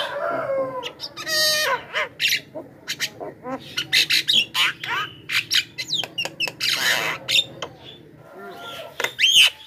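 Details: Loud Javan myna lure call to attract wild birds: a long, varied chatter of harsh squawks, clicks and rasping screeches packed closely together, some whistled slides, ending with a sharp shriek after a short lull.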